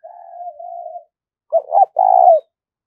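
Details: Lure cooing of a spotted dove in the 'thúc rút' style for trapping: a soft low drawn coo, a pause, then two quick notes and a loud sustained burred coo.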